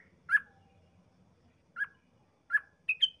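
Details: Yellow-vented bulbul 'ropel' song used to lure other bulbuls: a few well-spaced slurred whistles over a low murmur of background noise, ending in a quick double note.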